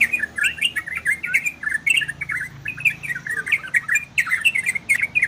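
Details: Orange-spotted bulbul singing ropel and garudo style: bright, liquid notes in short rolling phrases, some rising and some falling, with scattered clicking sounds.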